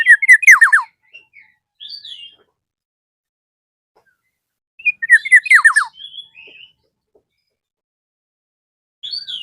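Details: Rival-calling Black-naped oriole repeats its loud chattering phrase with falling slurred notes twice, each followed by softer chirps and a higher squeaky note.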